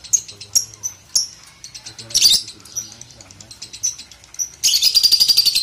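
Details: Lovebird, Balibu, in training audio for young birds: sharp high chirps spaced about half a second apart, a brief noisy burst, then a rapid high pulsed trill at the end.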